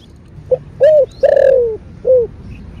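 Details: Spotted dove (cu đất), a captive male in Vietnam, in the thổ bầu voice style, cooing: a short note, a fuller coo, a long falling drawn-out coo, then a final short coo.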